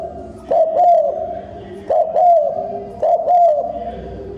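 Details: Decoy spotted dove cooing rapidly to stir up wild doves. It gives three soft coo phrases, each opening with a sharp clipped note and then a rounded drawn-out coo, over a faint murmur.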